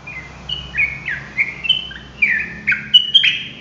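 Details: Sooty-headed bulbul delivering a loud, rapid song of sliding whistled phrases, some dropping and others rising, strung together almost without a pause.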